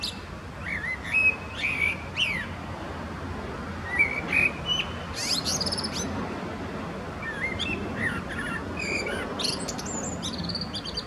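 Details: Singing male common blackbird, Zurich canton, Switzerland, February 2017, known for many song patterns: rich fluted warbles in the first seconds, then bursts of thin high twittering and squeaks, over a constant low background hum.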